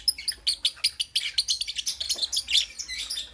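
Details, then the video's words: Lovebirds chirp in the morning with rapid, shrill, high-pitched notes, about five or six per second, forming an unbroken excited chatter of sharp squeaks. "Lovebirds Chirping Sounds"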